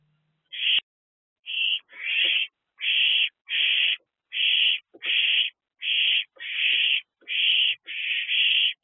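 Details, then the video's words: Three owlets in a nest box on an April evening, one or two with food, give harsh hissing bursts about half a second long, repeated roughly every second with short silent gaps between. "Owlet Trio. One or Two With Food."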